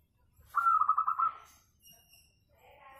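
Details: Local zebra dove singing, used as a lure to get other doves to sing: one melodious phrase of about six quick, pulsing coos on a steady mid pitch, followed by faint chirps in the background.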